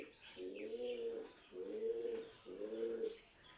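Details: Pigeons roosting inside the 11th-century Khmer temple at Prasat Phimai, Nakhon Ratchasima, Thailand, 2023, give loud, low, throaty coos, each about a second long, repeated roughly once a second.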